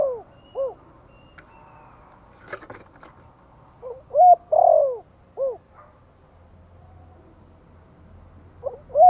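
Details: Spotted dove from Vietnam, gentle 'Thổ' voice used as a lure call to excite a decoy bird. Mellow, rounded coos come in short series with quiet gaps, plus a few brief clicks and a faint low hum.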